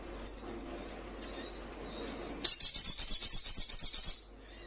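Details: Young Little Spiderhunter: faint high chips at first, then a burst of rapid, piercing trilled notes lasting under two seconds, steady in pitch and quickly repeated.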